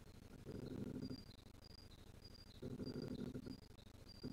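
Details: A female black grouse in Alutaguse, Estonia, on 1 April 2020, gives two low, rapid, pulsed cackling bursts, each under a second and about two seconds apart, over faint thin high notes from another bird.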